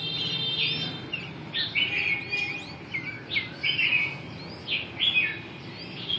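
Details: Red-whiskered bulbul delivers spaced, clear whistled phrases, each a short rising-and-falling warble, roughly one every second or two, over a soft hiss of background noise.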